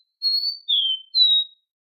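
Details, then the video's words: Copper seedeater (Sporophila bouvreuil) song: three clear, high whistled notes in quick succession, the middle one slightly lower and falling, with nothing else heard. "Canto do coboco lino ( Sporophila Bouvreuil )"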